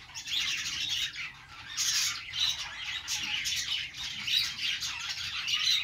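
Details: Budgies singing while perched; rapid chattering warbles and harsh little squawks rise and fall in loudness, several birds overlapping continuously.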